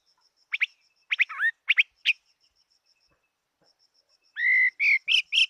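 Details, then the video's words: Fighting-type Chinese hwamei gives short bursts of whistled, slurred notes separated by pauses, then a run of four strong whistles. A steady faint high ticking runs through the background. "Hoa mi hot giọng"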